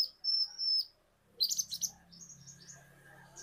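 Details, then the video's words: Indonesian kolibri ninja lure song: a sustained high whistle followed by a burst of bright chattering chirps over faint low hum. "Pancingan Super Ampuh Konin Bahan Auto Gacor | Kolibri Ninja Gacor"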